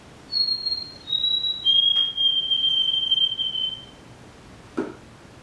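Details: White-throated Sparrow, a bird of the eastern half of the United States heard in yards, sings 'Oh Sam Peabody': a high clear whistle, a slightly lower one, then a long steady whistle of about two seconds, followed by a soft click.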